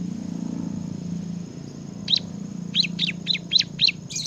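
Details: Bar-winged prinia giving ngebren-style song: after a quiet opening with a low background hum, a steady series of seven high, sharp chirps arrives about a quarter second apart.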